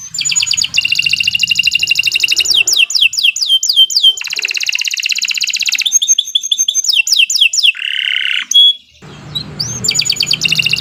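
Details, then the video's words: Canary singing continuously as a master recording for training: varied phrases of dense buzzy trills, quick series of sweeping whistles and rattles, a lower harsh note, a short silence, then more trilling. "Kicau Burung Kenari 122 II LUAR BIASA GACOR PANJANG Cocok untuk Masteran"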